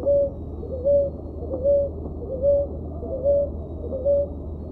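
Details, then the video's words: Song of a ruddy ground dove (Columbina talpacoti, rolinha roxa): six brief, mellow, even-pitched coos delivered at a steady pace of about one every 0.8 seconds against a low background drone. "Canto Da Rolinha Roxa ( Columbina talpacoti ) Ruddy Ground Dove"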